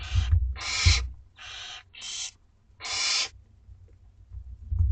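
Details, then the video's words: Hissing, wheezy begging screeches from two-week-old barn owl chicks at dinner time in a school garden box, five rasping bursts in quick succession, then quiet with faint scraping. "Dinner time for 2 week-old Barn Owlets!"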